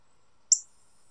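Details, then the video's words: Wild male Northern Cardinal with bright red plumage calling from a backyard tree: a single loud, high-pitched chip, abrupt at the start and quickly fading, with near silence before and after. "Cardinal Calling Sounds - Chirping In A Tree"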